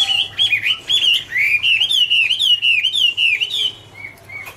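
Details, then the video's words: Garrulax canorus, the Chinese hwamei, in autumn song: a fast, continuous warble of bright whistled notes, wavering up and down, ending with two soft separate whistles. "" Autumn Love Song " Bird Garrulax canorus Singing- Birdsong"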